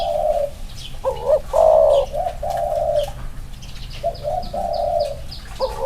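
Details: Male spotted dove, one of two compared side by side, cooing in a run of mellow, low, even notes, some short and some drawn out, with brief pauses between phrases and faint high chirping behind.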